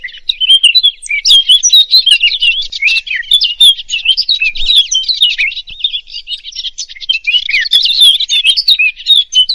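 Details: European robin (Erithacus rubecula), song.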